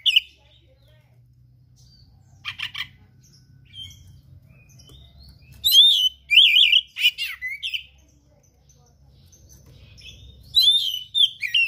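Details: Oriental magpie-robin in gacor song with rare mimicked material: scattered whistles and harsh chatter, then loud rolling warbled phrases and sharp notes, over a low rumbling background hum.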